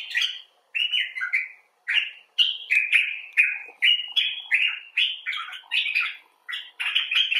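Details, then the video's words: Common bulbul (Pycnonotus barbatus), one of several individuals recorded in rescue care or outdoors, giving expressive 'talk': a run of short, slurred, warbling chirps with small pauses, rising and falling in pitch. No other sounds are heard. "Bulbul Talk: The Common Bulbul (Pycnonotus barbatus)"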